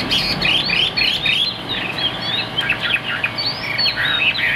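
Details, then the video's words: Caged Chinese hwamei in Vietnam with a fig-leaf tail, heard through heavier room noise, giving bright upward-swept whistles and varied warbled phrases at a lively pace. "Hm 2783 - Bộ khủng hót cực tốt, đuôi lá vả, hót cao cầu"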